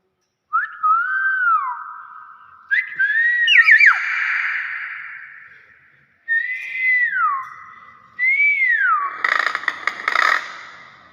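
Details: Common hill myna giving a series of varied whistles: sliding notes, a quick warbled flourish and a rising-falling tone. The series ends in a harsh, crackly burst, and there are gaps between phrases.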